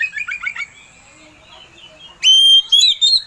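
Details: Kacer (Oriental magpie-robin) provocation song: quick chirps fading out, a quiet gap, then a loud long pure whistle followed by short whistled notes.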